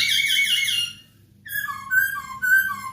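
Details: Masked laughingthrush song used as a tutor recording for captive birds: a rich, harmonic whistled burst, a short silence, then a series of slurred whistled notes alternating in pitch, recorded indoors.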